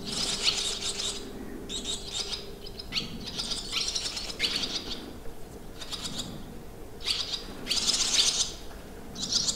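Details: Barn swallows at a campsite in the Limousin countryside, France, on 25 June 2023, give bursts of high, scratchy twittering chirps every second or so, uneven in pace, over a faint low hum.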